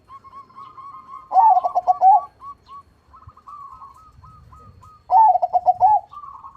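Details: Crossbred perkutut (zebra dove) singing actively with a big voice. Two strong phrases of quick, bubbling, stuttered coos come roughly four seconds apart. Fainter, level coo notes are repeated in between, with a low rumble in the background.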